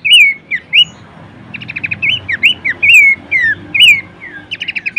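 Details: Horsfield's babbler song for training caged songbirds. Loud whistled slurred notes that rise and then drop, alternating with rapid runs of short, even chips in quick bursts. The background is quiet apart from a faint low hum.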